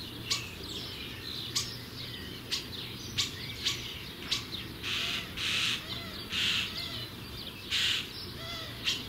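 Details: Common starling young, soon to leave the nest, give a series of harsh, raspy bursts repeated at irregular intervals of roughly half a second to a second, with a few thin chirps mixed in, over a low constant hum.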